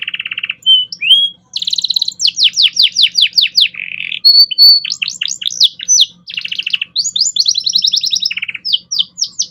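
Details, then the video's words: Canary singing a master song for training young birds: loud, continuous warbling of rapid trills, down-slurred whistles and buzzy rattles, changing phrase every second or so, with a faint low hum behind. "Masteran Kenari Gacor Cengkok Mewah Mudah Masuk untuk Burung Bahan"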